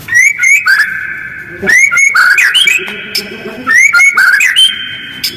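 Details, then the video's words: Fast, coarse white-rumped shama lure call with short gaps, played to provoke other birds to respond; piercing high chips leading into held level whistles and warbled rising notes, the phrase repeating roughly every two seconds. "Jeda rapat, suara kasar dan cepat direspon burung lain, pancingan murai batu"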